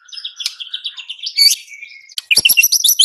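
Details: Murai batu, the white-rumped shama, singing quick repeated chirps and a thin drawn-out whistle, ending in a loud burst of rapid varied notes.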